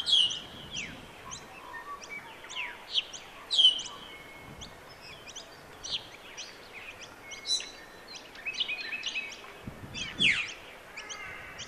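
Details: Australasian figbirds at the Sherwood Arboretum give short, clear, down-slurred chirps and sharp whistled notes in loose bursts, with several birds calling over one another against faint background hiss.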